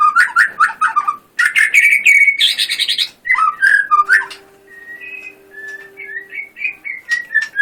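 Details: White-rumped shama singing vigorously: quick runs of loud whistled notes and slurred phrases, a short harsh burst, then softer rising and falling whistles, with a steady low hum in the background midway.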